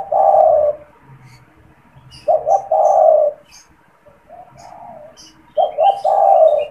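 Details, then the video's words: Caged spotted dove (tekukur), a frequent caller kept as a lure to stimulate and trap wild doves, giving three soft, low cooing phrases about every three seconds, each a couple of short coos running into a longer rolling coo; faint chirps of other birds. "SUARA PANGGILAN DAN PANCINGAN TEKUKUR TERBARU | TEKUKUR GACOR BAGUS BUAT PIKAT"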